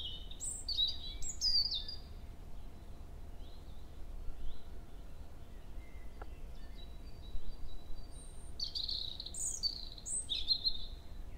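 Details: A male European robin sings in woodland at Hoher Peißenberg at 7 am in early May, two thin, wavering phrases of high trills and tumbling notes separated by a pause, with a female nearby exchanging contact calls, over steady low rumble.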